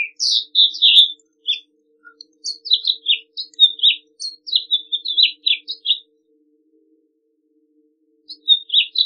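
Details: House Finch song made of separate high, sweet slurred notes and short twitters, spaced unevenly over about six seconds, then silence and a final brief phrase; faint low hum in the background.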